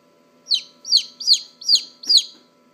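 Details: Newly hatched chicken chick held in a hand, calling loudly: five shrill, high peeps, each sliding sharply downward, given at roughly half-second intervals in a quiet room with a faint hum.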